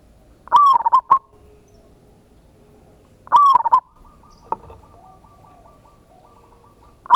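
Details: Local zebra dove singing a loud lure song meant to provoke a response, in ngayer, kerot and nutut style: two stuttering, rippling cooed phrases about three seconds apart, then a faint drawn-out coo over a low background hum.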